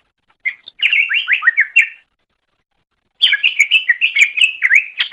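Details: Greater green leafbird song used as a training recording for teaching other birds to sing: two bursts of rapid, varied chirps and slurred whistles, mostly high-pitched, with short rising and falling notes, separated by a pause of about a second.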